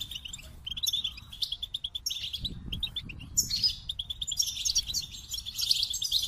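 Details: Goldfinch song opening with a run of evenly spaced high chirps, then breaking into a dense, bright tinkling twitter; a soft low rumble sounds midway.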